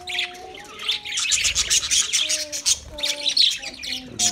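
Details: Budgie flock chattering: bright, rapid high twitters pulse in bursts over several long, steady low whistled notes held about a second each.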